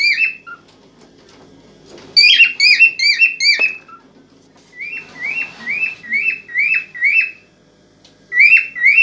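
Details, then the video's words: Cockatiel song given to excite a female for mating, with phrases of five to six ringing, falling whistles repeated at a steady quick pace, separated by pauses and a faint hiss. "تغريد كوكتيل هائج لنحفيز الانثى على التزاوج"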